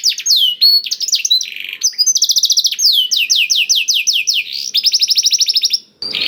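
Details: Canary with a song filled in blackthroat style, used to coax other canaries into singing: downslurred whistles and quick buzzy trills run in varied phrases, ending in a short burst of noise.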